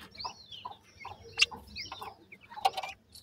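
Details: Feeding grey francolin chicks give rapid, thin high peeps and short descending whistles, roughly four or five notes a second, mixed with a couple of sharp clicks.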